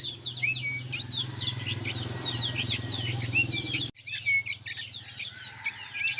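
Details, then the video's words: Sooty-headed bulbul young birds calling in a noisy group: continuous squeaky, descending chirps and short whistles over a constant low engine-like hum, with an abrupt break partway before the chirping resumes. "SUARA BURUNG ANAKAN KUTILANG PALING RIBUT BERBUNYI"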